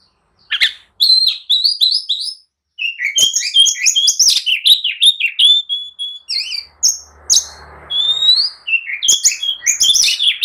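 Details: Oriental magpie-robin, agitated and provoking rivals to answer and fight, delivers nearly continuous loud song of repeated slurred whistles and sharp chirps, with a brief low rumbling noise midway.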